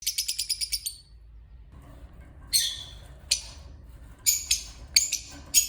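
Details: Lovebird, possibly opaline, calling: a fast run of about seven shrill, high chirps in the first second. After a pause come several harsh, scratchy bursts spaced roughly a second apart, over a faint low background hum.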